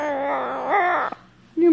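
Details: Young Catalina macaw, a new baby pet, crying at night while its owner is away at work: a long, loud, whining, strongly harmonic cry lasting about a second, a short pause, then another cry beginning.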